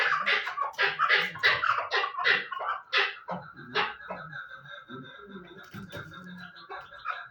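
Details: Chukar partridge giving a quick run of raspy chuck notes that slows and fades after three seconds, leaving a faint steady tone and scattered quieter sounds.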